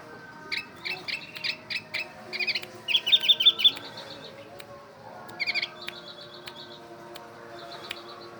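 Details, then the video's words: Oriental white-eye mimicking a bulbul: rapid high chirps in short bursts, then quick stacked notes and thin sustained whistles, with a faint hum underneath. "Burung pleci berbunyi kutilang"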